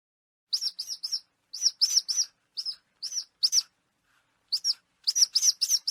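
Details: Falcon vocalization for scaring pigeons without harm: clusters of two to five shrill, sharp notes separated by short pauses, high-pitched and abrupt.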